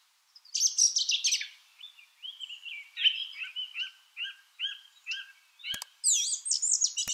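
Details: Song thrush in song: a scratchy high burst, then a short double note repeated about seven times in a steady sequence, two sharp clicks and a final high squeaky phrase.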